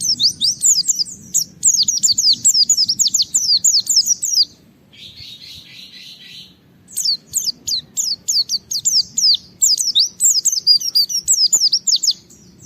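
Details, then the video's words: Japanese white-eye (pleci) singing gacor to challenge a rival and draw other white-eyes into song; rapid series of high, sharp downslurred whistles, about three per second, broken by a short buzzy pause midway. "Suara Burung Pleci gacor menantang Lawan akan memancing semua Pleci ikut Gacor Buka Paruh"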